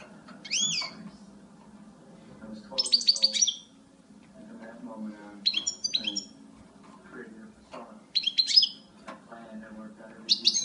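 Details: A female European goldfinch gives short, high, tinkling call bursts about every two to three seconds over a soft low hum in the background.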